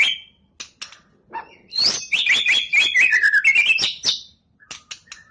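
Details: White-rumped shama, a champion competition bird, in a 'tembakan' song burst: scattered sharp clicks build into a dense, loud run of chattering whistled notes that slides downward before a few quiet closing calls.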